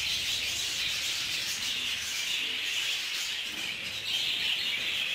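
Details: Group-kept budgerigars clashing inside an aviary; constant bright chattering and warbling from numerous birds, swelling slightly louder toward the end.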